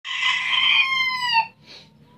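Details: Rooster crowing in Tabulahan, Mamasa regency, Indonesia: a loud, harmonic, drawn-out crow holding steady for over a second, then falling slightly at the end, followed by a faint short note and quiet background.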